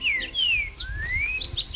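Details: Green-winged Saltator sings in fragments of forest near Caldas, Minas Gerais, in 2011, where it is recovering after cage-trapping: clear, loud whistled phrases slurring downward, a long rising whistle, then quick high notes, with faint background music and low rumble.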